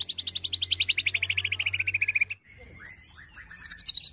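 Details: Agitated white-rumped shama ketrekan used to provoke and tutor birds: a fast rattle sliding steadily downward for over two seconds, a brief pause, then soft notes under a very high thin trill.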